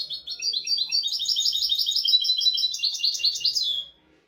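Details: European goldfinch singing a royal-style tutor song used to teach goldfinches and canaries: a fast, continuous, high twittering run of bright tinkling notes lasting nearly four seconds, then silence.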